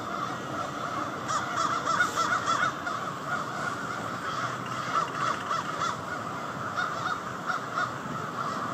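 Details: A massive nightly flock of crows gathering to roost in Victoria Park, Charlottetown, Prince Edward Island; a dense, continuous chorus of overlapping harsh caws from many birds, with no pauses.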